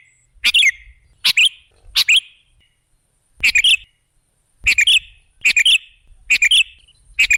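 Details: Kutilang, the sooty-headed bulbul, singing as a lure recording meant to attract other birds. Brief, lively chirped phrases of two or three quick notes each, given in irregular bursts with short gaps. No other sounds.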